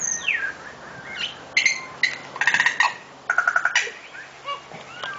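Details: Complicated Tui song: a descending whistle opens, then sharp chirps and two buzzy, pulsed rattles repeated about a second apart, ending with soft scattered whistled notes.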